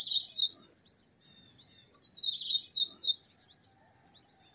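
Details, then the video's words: Purple sunbird singing: high, thin, rapid twittering phrases of quick slurred notes, in two bursts separated by a short pause, over a quiet background. "Purple Sunbird Songs - Purple Sunbird Sound - Purple Sunbird Call - Purple Sunbird Singing"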